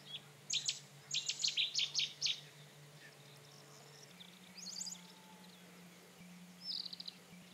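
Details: Rufous-tailed scrub robin delivering a rapid series of high, clipped, chattering notes in a tight burst. Softer, fainter phrases follow after a pause, with a steady low hum beneath.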